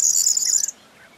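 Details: A corn bunting (Emberiza calandra), recorded 4 June 2022, gives a high, dry jangling trill, like shaken keys, lasting under a second before cutting off into quiet.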